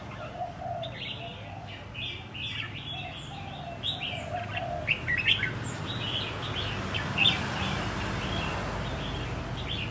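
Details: Caged wild-caught Red-whiskered bulbul, considered ready for singing competitions after a year, repeats short lively chirping phrases in quick succession, fading behind a rising wash of background noise in the second half.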